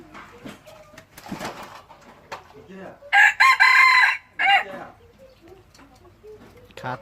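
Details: Red junglefowl used as a decoy bird, Xaysomboun: a single loud, ringing crow of about one and a half seconds broken into short segments, rising then falling, amid background voices and faint rustling.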